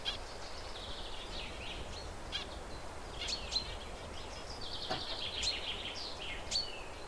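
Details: Zebra finches perched and alert, chirping to keep in touch, utter repeated nasal, harmonic beeps in short runs, some sharp clicks between them, over constant outdoor background noise.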